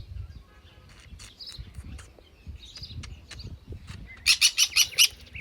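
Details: Sun conure, a parrot, giving five harsh, loud, broadband screeches in quick succession near the end, after softer scattered chirps and faint background noise.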